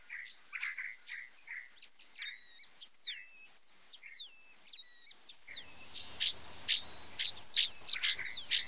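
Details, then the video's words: White-browed meadowlark song: short buzzy chips repeated about twice a second, then sharp whistled downslurs and rising slides, ending in louder, denser high chirps over a faint background hiss. "POLÍCIA-INGLESA-DO-SUL canto (LEISTES SUPERCILIARIS), WHITE-BROWED MEADOWLARK, FLAMENGUINHO."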